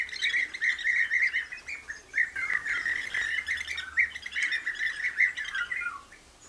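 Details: Common nightingale singing near bird-watching hides; a dense, varied stream of rapid warbled and rattling notes, with a faint low hum underneath.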